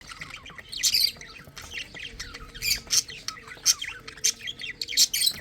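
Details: Lovebird chicks eating and drinking, giving dense harsh squawking chirps in rapid irregular bursts, several voices overlapping throughout.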